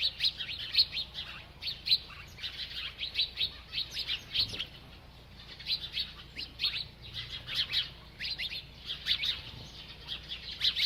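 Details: A bird chirps on and on while eating, giving a long series of short, high twittering notes in irregular bursts, with a quieter stretch around five seconds before the chatter picks up again.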